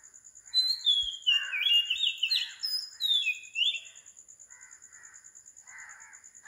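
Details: Oriental magpie-robin recorded at 4 am in Sri Lanka sings a short burst of whistled slurred notes, followed by softer lower chirps repeating, over a constant high insect-like tone.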